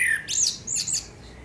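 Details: High, squeaky twittering flourish from a Eurasian blackbird singing at sunset in Akersloot, Netherlands, on 30 March 2018, preceded by a brief low whistled note.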